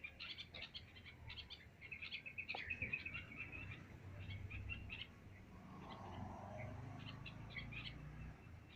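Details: Birds chirping on an ordinary day, with quick high twitters and short chirps packed into the first half, then sparser calls over a rising low rumble of background noise.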